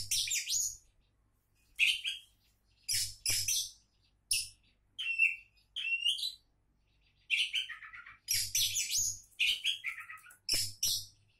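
An Oriental magpie-robin sings bursts of varied, high whistled and scratchy phrases, each about half a second long, with short pauses. A faint low hum sits underneath.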